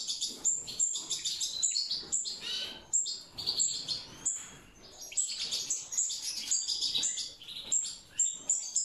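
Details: European goldfinches, mutation birds, breeding naturally: bursts of high twittering chirps and tinkling notes in quick clusters, separated by brief gaps, with more than one bird seemingly calling.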